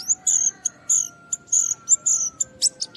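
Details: Japanese white-eye (pleci) singing to challenge a rival and provoke other white-eyes; high, slightly buzzy sustained notes alternating with short sharp chips, over a faint steady tone.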